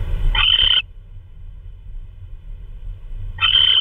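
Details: An owl calling while delivering prey in the night, 3:12 AM on 16 March 2013. Two loud, raspy, slightly rising bursts about three seconds apart, with low rumbling noise between them.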